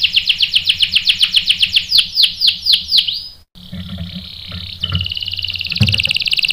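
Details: Caged canary answering a female used as bait; a series of falling whistled notes slows and widens, stops abruptly, then softer warbling and a thin rapid trill follow.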